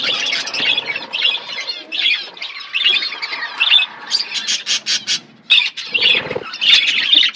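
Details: Several budgerigars chirp while eating, with bursts of warbled chatter broken by short pauses, then a run of quick clipped notes and some rustling.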